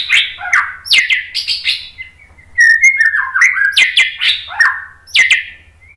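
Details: White-rumped shama singing to provoke birds into answering: loud varied phrases of falling and rising whistles mixed with sharp clicks, continuous and rich, over a faint low hum.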